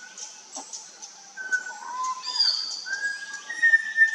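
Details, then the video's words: Malabar whistling thrush in India, giving clear, drawn-out whistles that slide up and down, some rising toward the end, over a steady high hiss of insects. "The Malabar Whistling Thrush call| ചൂളക്കാക്ക | சீகார்ப் பூங்குருவி"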